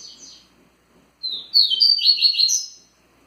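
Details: Faint tail of one phrase, then a thin lead-in note and a loud, rapid run of high twittering lasting over a second, sung in the Tui Tui style by a kept double-collared seedeater.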